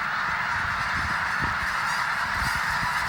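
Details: Thousands of snow geese rising in unison at Bosque del Apache, New Mexico, during winter; a constant blare of countless nasal honks, with scattered low thuds and wingbeat-like rumbles underneath.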